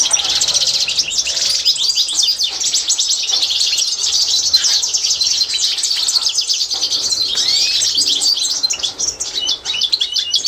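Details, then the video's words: Authentic Constantine goldfinch (European goldfinch) tutoring song for birds to learn, from 2024: sustained high twittering made of rapid clicking trills and liquid chirps, dense throughout, with a slight drop in intensity near the end. "تتعلم مع الحسون القسنطيني الاصيل"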